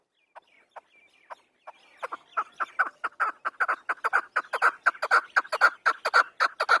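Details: Afghan chukar starting with a few isolated chuck notes that quicken into a dense, rhythmic, accelerating chatter, rising steadily in volume through the clip.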